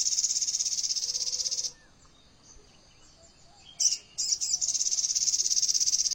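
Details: Sogon bird singing dense AK47-type trills. An extended high buzzy rattle stops for about two quiet seconds. Sharp stuttering chips follow, then another rapid, even trill of quick pulses.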